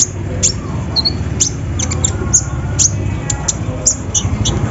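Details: Sunbird (kolibri ninja) kept in a cage, singing loudly after a morning dew misting, its repertoire including embroidery-machine imitation: thin, high clipped chips about twice a second with a short warble, above a strong low rumbling background.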